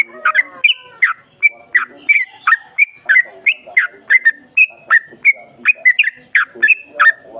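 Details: Yellow-vented bulbul song of the 'ropel panjang' type, a lively unbroken stream of sharp, bubbly whistled notes, some with a squawky edge, repeated about three times a second.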